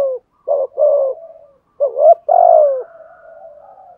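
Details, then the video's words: Spotted dove decoy bird, described as having a 'thổ' voice, giving a methodical 'thúc gù' coo: low, hollow, moaning notes in short bursts with a long drawn, falling coo and a faint trailing hum, in quiet surroundings. "chim cu moi thúc gù bài bản"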